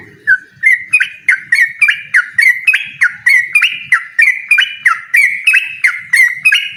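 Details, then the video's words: A yellow-vented bulbul in rapid 'ropel' duel song against a rival: a fast, unbroken string of crisp flicked whistles, about three per second, gradually climbing in pitch and growing louder, with light low rustling. "suara burung trucukan gacor mengajak lawan adu ropel"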